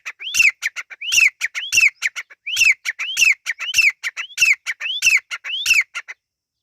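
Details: Partridge chicks, locally Irani teetar, repeating a clear rising whistle joined to a fast run of clipped notes, nine or ten evenly spaced phrases before the recording falls quiet.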